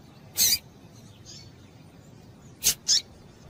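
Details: Calls of a female double-collared seedeater, used to get males singing: a bright, high burst early on, then a short double note near the end, over low steady background hiss.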